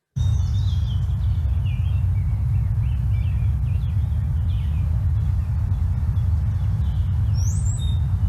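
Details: Male Brown-headed Cowbird, possibly a call rather than song: faint bubbly gurgling notes, then a thin, very high whiny whistle that rises and abruptly cuts off, over a steady low rumble.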